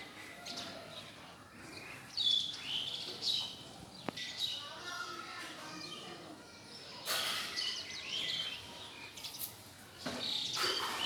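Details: House sparrows bathing and playing in mud in a cow shed in India; short, high chirps in scattered bursts, mixed with human voices and loud broadband rustling or splashing noises.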